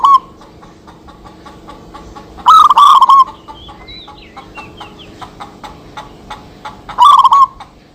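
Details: Local zebra doves calling back and forth for use as a lure: a brief rippling coo phrase at the start, another around the middle and a third near the end, faint chirps in between.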